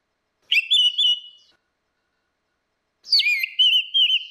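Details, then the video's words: Orange-headed thrush, female and male, singing for use as a lure: two clear whistled phrases with wavering, warbled notes, the second more varied, quiet background. "SUARA ANIS MERAH BETINA VS ANIS MERAH JANTAN NGEPLONG || PANCINGAN ANIS MERAH MACET"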